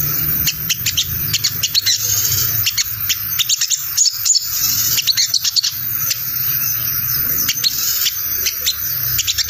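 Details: Crimson sunbird 'ngriwik' lure call, a messy cassette-like chatter used to make wild birds answer: long run of piercing high chips in irregular clusters with a short lull midway, low hum throughout.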